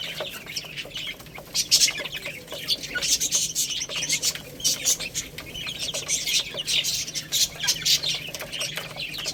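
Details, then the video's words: Several young chicks peck at rice and call constantly. Their high, piercing cheeps come in clustered bursts, separated by brief quieter gaps, with crisp ticking sounds mixed in. "Beautiful Little Chicks Chirping Sounds | Cute Baby Hen Eating Rice"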